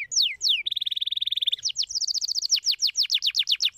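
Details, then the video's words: Singing canary, used to encourage lazy birds to sing: two falling whistles lead into a long, rapid, rattling trill, followed by a steady series of descending sweeps repeated several times a second. "Mooie Canarische Eilanden! speciaal om het geluid van de luie vogel te stimuleren"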